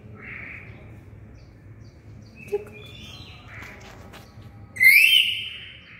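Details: Pet black-capped lory giving a few faint, nasal squawks, then one loud, harsh, rasping screech near the end, over a low background hum throughout.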